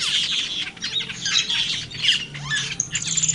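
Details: A black-winged myna in the wild gives harsh, scratchy squawks and chatter, tumbling out in quick irregular bursts of high grating notes over a faint low hum.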